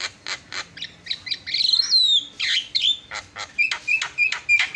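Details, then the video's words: Javan myna (jalak kebo) in lively full song, used as a tutor recording: varied high chirps and squawky notes with rising and falling whistled slurs, delivered in quick irregular bursts. "SUARA ISIAN..!! JALAK KEBO PALING KRENN"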